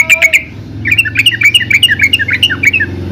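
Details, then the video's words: Yellow-vented bulbul giving a fast run of short chirpy notes, roughly three or four per second, over a low background hum. "Suara Burung Trucukan"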